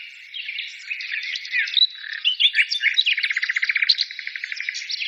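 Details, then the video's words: Birds singing in a lively overlapping chorus that builds into a fast, rattling trill of rapidly repeated high notes during the second half. "birds singing"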